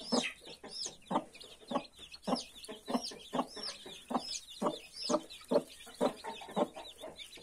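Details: Brooding hen with 31 newborn chicks gives steady, short, low clucks about twice a second. Many chicks answer with high, downward-sweeping peeps.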